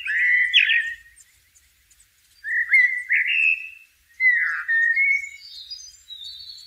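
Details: Blackbird in nature delivering slurred, flute-like whistles that rise and fall, phrases run close together, later notes climbing into a thinner, higher twitter.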